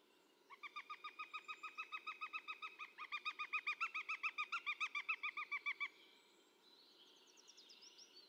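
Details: Female northern goshawk at a forest feeding station in 2019, giving its typical cackling call: a fast, even series of about thirty harsh kek notes lasting five seconds, fading into quieter high twittering afterwards.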